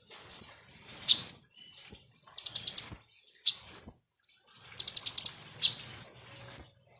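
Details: Sunbird known locally as konin or kolibri ninja, used as a lure to make birds aggressive: thin high whistles broken by two fast stuttering trills of clipped notes, then more sharp descending whistles, all very high-pitched.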